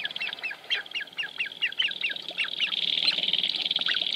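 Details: Sharp-tailed grouse dancing at Wainwright, Alberta, in 2015. Quick series of short, downslurred cackling notes, several each half-second, then a steady high rattling buzz.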